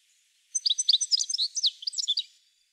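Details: European goldfinch song: a rapid tumbling burst of bright twittering notes and short trills lasting about two seconds, high-pitched and clear against silence.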